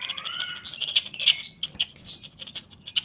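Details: Javanese chestnut-capped laughingthrush in full voice while being trained: rapid, uneven high chips and squeaky notes, with a rising whistled slur and a short tonal phrase at the start.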